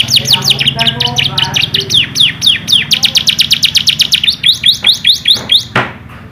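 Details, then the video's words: A yellow canary song used to train young canaries: long tours of high, sharply falling whistled notes, about five per second, shifting into quicker rolled trills over a faint low hum. "Beautiful Singing Of Yellow Canary"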